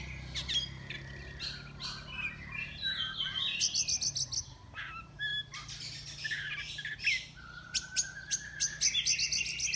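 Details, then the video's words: Caged oriental magpie-robin, a contest entry from Miri, Sarawak, fed crickets and sunned daily: varied whistled phrases, rising notes and rapid buzzy trills in quick succession, with a low steady hum underneath. "Lomba Burung Online Kacer NEO"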